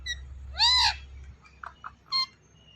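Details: Talking pet ringneck parrot gives one loud, rich, arched syllable, followed by two soft short notes and a final brief bright word, over a quiet low hum.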